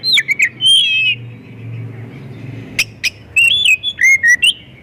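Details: Oriental magpie-robin giving a busy, varied song that serves to trigger other magpie-robins to sing; sharp clicks and a sliding warbled whistle, a quiet gap with low hum, then crisp clicks and quick whistled phrases.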